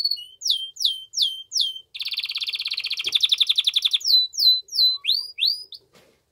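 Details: Canary in strong courtship-prompting song for a female: repeated down-slurred whistles, a dense two-second rattling trill, then more looping whistled notes, with a faint click near the end.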